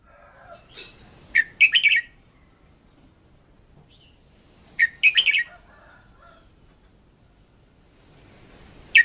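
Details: Two clipped, energetic song bursts from a keyed-up decoy red-whiskered bulbul, each a tight cluster of sharp, bright notes, about three and a half seconds apart, with a final note cut off at the end.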